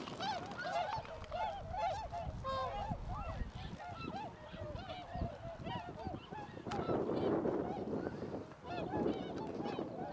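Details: A flock of cackling geese in flight gives a dense, overlapping chorus of high, yelping honks, many per second, with a rushing, noisy stretch in the second half.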